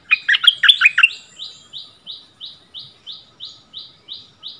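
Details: Decoy bulbul meets a new resident territory holder and they duel in song, February 2021; a brief chattering warble gives way to a second bird's clipped chirps, repeated about three per second.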